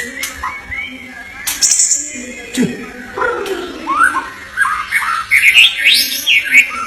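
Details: White-rumped shama song of varied whistled notes that climb into rapid high, twisting phrases toward the end. Sharp clicks and low murmuring are in the background.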